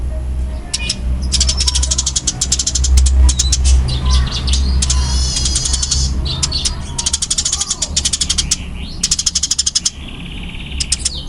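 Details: Eurasian tree sparrow of the fighting type, called burung gereja tarung, giving fast, dense bursts of sharp high chirps in rapid clicking runs, with pauses between volleys and a low steady hum beneath.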